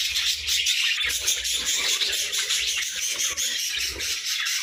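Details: Early-day chatter of pet budgerigars: a dense stream of bright chirps and warbled tweets from several birds, over faint low rustles and flutters of movement.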